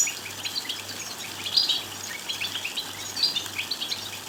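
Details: Goldfinch song intended to excite a goldfinch into singing: quick chattering twitters with a couple of louder bright buzzy bursts, high-pitched and continuous, over a soft steady hum.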